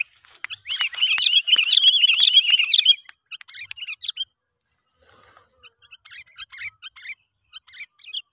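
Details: Sooty-headed bulbul calling in the wild while a young lure bird is tested: a dense burst of chattering, warbled notes, then scattered short sharp chirps and bright twittering phrases separated by brief pauses.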